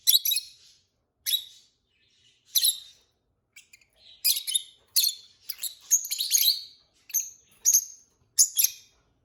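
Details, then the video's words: Two pet peach-faced lovebirds chirping and singing; harsh high chirps at first every second or so, then a chattering flurry of squeaky twitters and whistled notes. "Peach-faced Lovebird Singing & Chirping Sounds"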